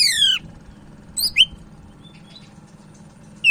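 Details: Sumatran leafbird from Medan, a lively singer kept as a tutor bird: a loud, descending series of stacked whistled notes, then sharp rising chips after a pause, with a faint low hum underneath.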